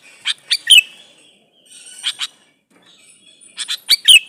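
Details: Male sooty-headed bulbul calling a female, meant as a lure to provoke answers; lively groups of quick liquid notes ending in a sharp whistle, repeated three times with faint background chirping.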